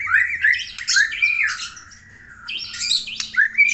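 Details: Vigorously singing Aceh white-rumped shama delivering tumbling rising whistles and scratchy, chattering flourishes, a short quieter gap, then another burst of bright whistles and harsh notes.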